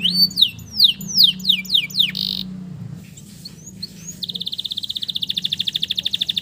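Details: Lure song of a male canary for stressed canaries gone quiet: descending swooping whistles and a buzzy burst, a brief near-silent gap, then a rapid regular trill running to the end over a low hum.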